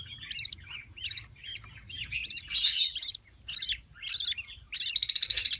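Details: Budgerigar female on her first clutch, agitated while the nest is inspected: a string of short warbled chirps with a louder scratchy squawk, ending in a fast rattling series of harsh notes.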